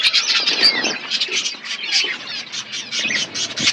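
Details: Pet budgies chirping while eating food, a dense stream of overlapping high, scratchy warbles and quick chirps from several birds with no pauses.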